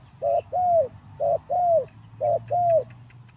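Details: Decoy spotted dove in a cage, three days from the breeding cage, repeats three pairs of deep coos roughly once a second, each a brief note followed by a longer downward-curving one.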